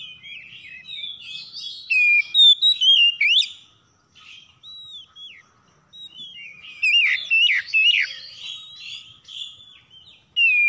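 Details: Oriental magpie-robins (kacer) answering one another in the morning, rough harsh song of rapid twisting whistles and scratchy notes in bursts separated by short quiet gaps.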